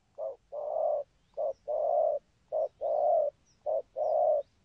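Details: Spotted dove delivering its 'thúc gù' coo: four clear pairs of soft, hollow notes, a short lead-in coo followed by a fuller sustained one, evenly spaced about a second apart.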